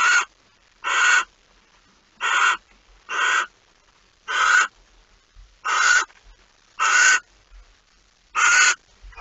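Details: At a barn owl nest before dawn, 26 August 2019, with a mouse being delivered: a steady series of about nine coarse, breathy screeches, each a short noisy burst, roughly one every second, in a quiet setting.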